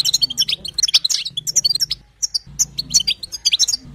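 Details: Bright, rapid chirps and squeaks from a female European goldfinch, meant to coax a male into song; two busy phrases split by a half-second pause, low hum underneath.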